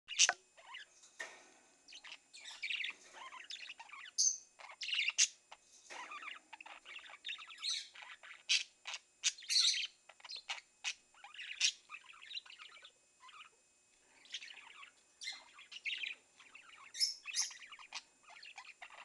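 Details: Four pet budgerigars keep up a busy, high chatter of quick chirps, squeaks and warbling notes.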